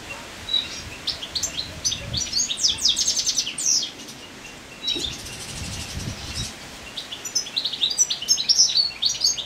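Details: In late summer a male European goldfinch, moulting, delivers a fast jangling twitter of high chirps, liquid trills and brief buzzes. A short lull falls midway and faint low rumbling sits underneath.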